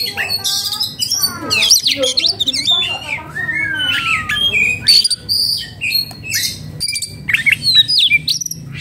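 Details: Oriental magpie-robin in breeding condition and agitated, singing a rich, varied song of clear rising and falling whistles mixed with harsh squawks and rapid chattering notes, delivered in quick bursts with short pauses, plus a faint low hum.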